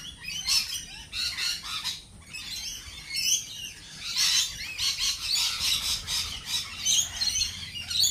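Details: Lorikeets at a cafe fill the air with piercing, scratchy screeches in rapid irregular bursts, roughly one a second, loudest around four seconds, with little low-pitched background.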